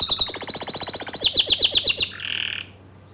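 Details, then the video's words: Bottle-green canary delivers an evenly paced trill of high, slightly descending notes, about seven per second, closing on a short nasal buzz. This is a training song for juvenile canaries. "Kicau Kenari Hijau Botol Gacor Dor Cocok Untuk Masteran Kenari Paud dan Bahan"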